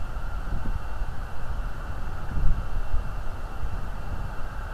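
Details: Early morning outdoor ambience with steady low rumbling wind and engine-like noise, and no animal calls heard.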